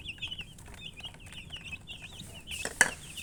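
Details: Baby chickens chirping, a string of high wavering peeps in quick succession, ending with a sharp clatter like a dish or metal object being knocked.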